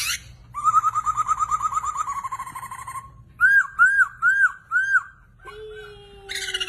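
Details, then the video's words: Chinese hwamei singing a vigorous song: a rapid run of about fifteen looping whistled notes, then four loud slurred arching whistles, a pause, and a steady low tone with a harsh burst at the end. "Poksay Hongkong Gacor Dor."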